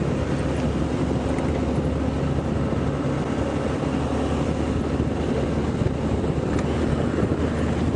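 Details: Steady droning vehicle engine rumble during a sunrise safari drive, with no animal voice.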